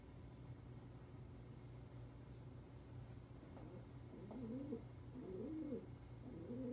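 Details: Tawny frogmouth held in captivity, placed indoors among free-flying wild birds and barely moving. Gives a series of deep, muffled, rising-and-falling hoots roughly once a second in the last half, over a constant low indoor hum.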